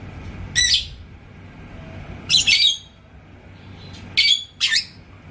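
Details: Yellow lovebird in Indonesia, stirred by a rival's song toward ngekek, utters four harsh squawking bursts, the middle one doubled and the final two close together, with quiet hum between.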